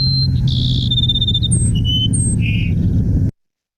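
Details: Cassin's sparrow song from southeast Arizona, linked to July monsoon season: a thin high whistle, a buzzy then rapid high trill, then a few slurred high notes, over a steady low hum.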